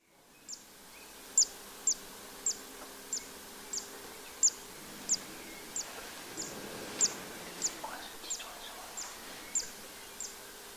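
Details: Zitting cisticola singing in spring at the Séné nature reserve, Morbihan, on 3 April 2024: sharp, high, clicking 'zit' notes repeated about every half second in a steady series, with a faint hiss of background noise.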